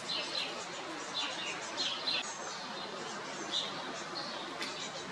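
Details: Great tit nestlings in the French countryside in early May, fed by a parent, give short, high, hissing-chirpy begging notes in loose bursts every second or so, over a steady background hiss.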